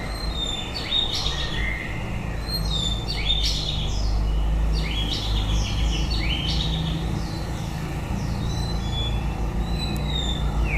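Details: White-rumped shama at the end of its breeding season, delivering a rapid run of sharp, high chipping and sweeping notes with a few whistles, over a loud continuous low rumble.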